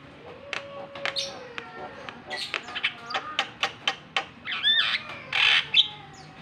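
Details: Provoking call of a Javan myna, meant to make a quiet bird sing: a long level whistle at the start, then a run of rapid dry clicks and chips, ending in louder harsh bursts.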